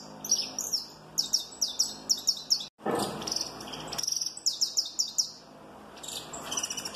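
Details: Peruvian saffron finch of the giant mutation singing in a strong snapping style: a series of sharp, sweeping high notes repeated about twice a second, broken midway by a loud broadband rustle or bump before the phrases resume.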